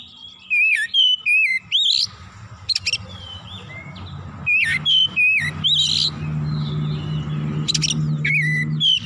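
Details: Agitated oriental magpie-robin showing off its full repertoire, with clear whistled phrases that dip and rise, sharp scratchy notes between them, and a low hum running underneath.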